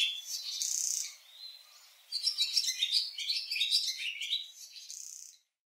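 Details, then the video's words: Barn swallow song: a fast, rambling twitter of high chirps and scratchy warbles, with a brief hissing burst at the start. "ツバメ さえずり"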